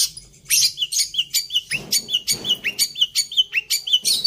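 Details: Long-tailed shrike song with copied fills: crisp, high chirps and short upslurred whistles repeated roughly every quarter second. Faint low rumbling sits in the background.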